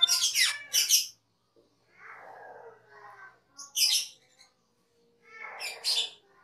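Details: Cucak keling in song for a cage-bird training master: harsh high bursts separated by softer, lower raspy chatter, with clear pauses between phrases.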